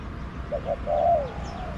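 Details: Wild spotted dove in a garden answering a decoy during decoy trapping; two soft short coos, then a longer rolling coo trailing downward, low and muffled over faint background noise.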